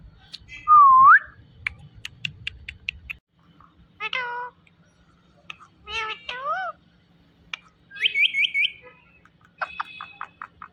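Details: Indian ringneck parrot talking: a loud upswept whistle, then short clipped harmonic syllables, curving meow-like notes and a rapid rising trilled phrase, with a person speaking nearby.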